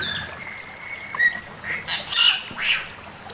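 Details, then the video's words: Male Chinese hwamei master song: a long, high, clear whistle gliding slowly downward, followed by a lower sustained whistle and softer, varied notes. "Burung poksay mandarin suara masteran Poksay mandarin jantan"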